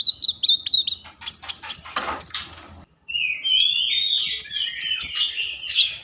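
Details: Common iora singing energetically, used as a lure to rouse breeding mood and prompt other ioras to sing: bursts of sharp high chirps, then after a brief pause a run of rising whistled notes with buzzy trills.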